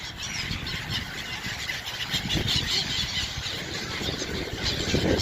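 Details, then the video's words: Gulls on the Scheldt in Belgium, fed bread and squabbling over the food, give harsh squealing calls that overlap and repeat against steady outdoor rumble and wind. "WHAT LOVELY SOUNDS OF SEAGULLS"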